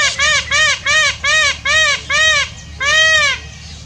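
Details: Peacock calling while dancing: six short, loud, nasal honks with arching tones, repeated about every half second, then one longer drawn-out wail to finish, over a faint low background rumble.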